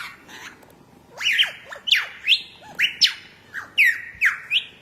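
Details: Lyrebird, a forest bird of Australia, giving loud clear whistled notes, each sweeping up then sharply down, repeated about every half second after a quieter start, with faint background chatter.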